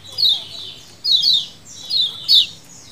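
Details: Colony chatter of lemon-bellied white-eyes, the 'ciakan' lure style: four short clusters of bright, falling, high-pitched chirps, each burst a tangle of overlapping voices with quiet gaps between.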